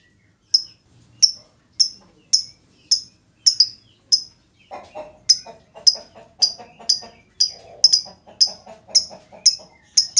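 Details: Lovebird lure to get other lovebirds singing: regular sharp high chirps about every half second, joined midway by lower chattering notes beneath them.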